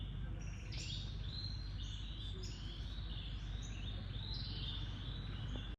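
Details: Oriental magpie-robin, a shy bird, in Cambodia singing a continuous run of clear whistled notes. The notes rise and slur into one another in varied phrases over a steady low rumbling background noise.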